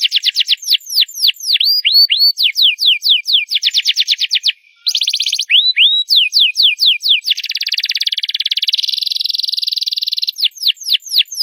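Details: Loud canary song in varied phrases: series of down-slurred whistles, rising curved notes, a short break, then a fast dense buzzing roll and more swooping notes.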